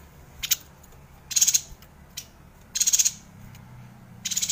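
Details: A Yuhina singing a long rolling song (gacor ngerol), used as a master recording for white-rumped shamas. It gives high, pulsed chatter bursts of four or five rapid notes each, with brief ticks in between.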